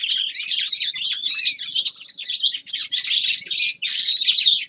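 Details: Winter song of a young male linnet: a rushing stream of bright twitters and buzzy notes, briefly pausing near the end before resuming.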